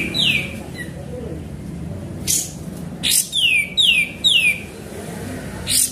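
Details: Sooty-headed bulbul singing, used as a lure: a falling whistle, a pause, then three rapid descending whistled notes framed by harsh broadband chirps, over faint background noise.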